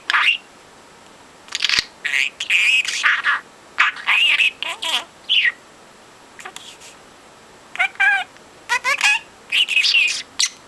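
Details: Pet male budgie, four months old, that talks constantly and is being taught words, alternates clusters of grating, speech-like chatter with brief pauses and a few quick whistled wavers.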